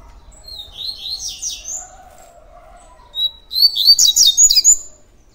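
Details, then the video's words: A Double-collared Seedeater (coleiro) in tui tui song starts with a softer, wavering high twitter, then after a pause delivers a loud, rapid series of sharp, sliding whistled notes about a dozen strong. "COLEIRO TUI TUI DIAMANTE FIBRA PURA"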